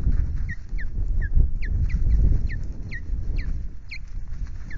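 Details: Osprey at a nest at Loch Garten, Scotland, on 21 April during a male's mating attempt: a series of short rising-falling chirps repeated several times a second over steady low rumbling wind noise.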